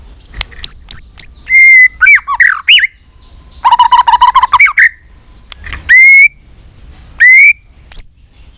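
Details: White-rumped shama in competition fighting song, mixing pure sustained whistles, sharp high flicks and a fast buzzy rattling run, delivered in separate loud phrases with short gaps.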